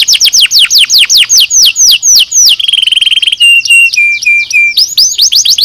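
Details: Canary nozes song for training birds: a long string of falling whistled notes, then a fast rolled trill, a few level whistled notes stepping lower in pitch, and a return to quick falling notes.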